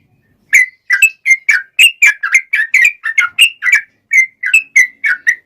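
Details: Fighting song of a male sooty-headed bulbul: after a half-second of silence, a string of crisp, bright whistled notes bends up and down, about three per second, sometimes doubled into quick pairs.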